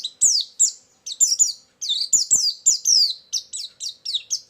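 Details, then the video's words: White-eye song used as a lure for trapping, high descending whistled chirps given in fast irregular bursts with short breaks. "suara burung pleci pikat+isian"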